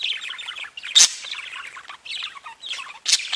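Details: Budgerigar song from pet birds: continuous chattering warble of fast mixed notes, broken by two loud harsh squawks.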